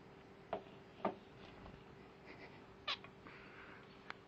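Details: Male pet zebra finch indoors, guarding its owner's drink as though it were its nest and reacting when the owner reaches for it: short, nasal, harmonic calls, three clear ones with fainter calls between, irregularly spaced over a steady background hum.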